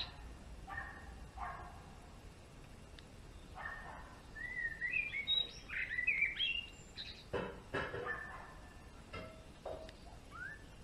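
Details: Male European greenfinch gives a burst of rapid twittering, slurred notes midway through, among scattered louder chirps and a few clicks or knocks in the background.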